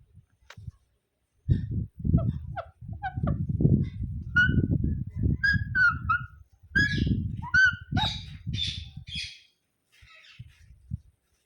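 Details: Ringneck parrot uttering scattered shrill chirps and squawks that grow louder and higher toward the end, with a constant low rumble underneath, then fading to near silence.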